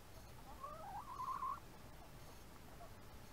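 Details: Backyard hens about four months old, eating an early morning rice treat: a soft, wavering, warbled trill rising and falling for about a second, then quiet with faint background hiss.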